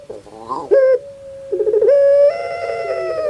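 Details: ['Puter pelung dove, a kept bird in Java, Indonesia, with a voice likened to a crying baby: quick rough stutters, then a long flat coo and a rising, sustained, drawn-out final note.']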